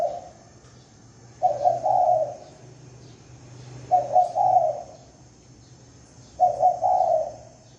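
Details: Spotted dove cooing as a lure: three phrases, each a quick doubled coo then a drawn-out coo, spaced about two and a half seconds apart, with a low hum and thin high whine behind.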